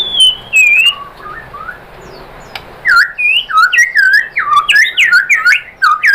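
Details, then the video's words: White-rumped shama song used to provoke other shamas into singing: a few slurred whistles, a pause, then a rich rapid stream of loud varied whistled phrases, dipping and rising notes with sharp high clicks. "bikin MURAI BATU jadi NYAUT GACOR BONGKAR MATERI ¦ PANCINGAN MURAI ¦ SHAMA BIRD"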